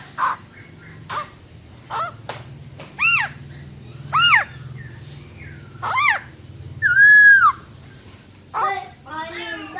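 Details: Female silver-eared laughingthrush with a wild-type song meant to fire up males. A series of sharp, down-slurred notes about a second apart leads to one sustained arched whistle, then warbled notes at the end.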